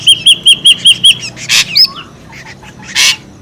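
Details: Ashy drongo lure call, described as noisy: six clear whistled notes with a bent, hooked shape, repeated about every 0.2 seconds, then scattered broadband rasping bursts and a single upslurred whistle.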